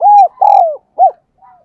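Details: Decoy spotted dove calling to lure wild doves: a short burst of soft, hollow coos, two longer arched notes, then a brief clipped note and a faint trailing one, on a quiet background.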